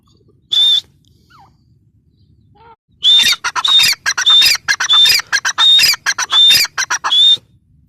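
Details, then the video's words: Grey francolin (teetar): one isolated harsh whistled note, faint soft calls, then a sustained run of loud, rasping, whistle-tipped notes delivered in rapid, irregular succession. "gray francolin teetar sound"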